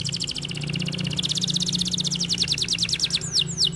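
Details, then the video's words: Canary in vigorous kenari gacor song, delivering a long, rapid, rattling high trill of tightly packed notes that runs throughout, closing with a couple of sharp downward slurred whistles. "The canary sings beautifully"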